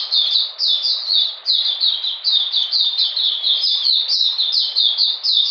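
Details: An Oriental magpie-robin in cold, rainy conditions on 13 June 2020 repeats quick, bright down-slurred whistles about twice a second in a lively, rolling song.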